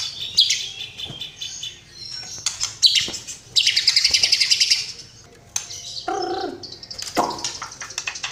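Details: White-rumped shama song of scattered high chips and a fast rattling trill, followed by short lower buzzy notes, with gaps between phrases.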